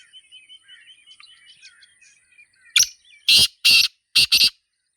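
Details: Black francolin (Sindhi teetar) calling in a natural setting: after soft chirps from small birds, a burst of five loud, harsh, grating notes arrives, the last four in two tight pairs.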